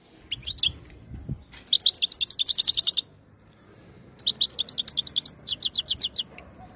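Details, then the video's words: European goldfinch, ready to mate, in Algeria, singing khaloui style: two long runs of fast, evenly repeated, high, liquid trilled notes separated by a short pause, loud and clear against quiet surroundings. "تغريد الحسون جاهز ليتزاوج chont chardonneret"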